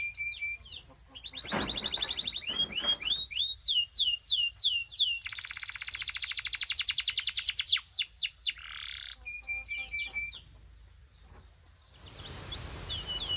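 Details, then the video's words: Belgian canary warming up, its song mixing a clear high whistle, a harsh noisy burst, sweeping rising notes, a fast rattling trill and a pause before soft hissing sounds. "This BELGIAN CANARY SINGS BEAUTIFULLY - Warms up quickly!"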